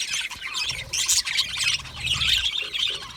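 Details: Budgies in a comfortable colony give scratchy squawks and slurred whistled chirps in uneven bursts, several birds overlapping, the calls harsh and high with short gaps between surges.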